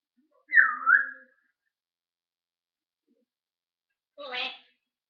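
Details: Talking parrot on 1 June 2013 makes a dipping double whistle, then after a three-second pause a short rough, buzzy squawk.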